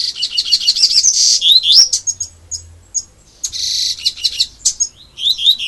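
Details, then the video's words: Caged double-collared seedeater delivering its 'grego' style song: a continuous stream of high chattering notes, buzzy trills and rising whistled slurs, with brief gaps between phrases. "Coleiro Gregório"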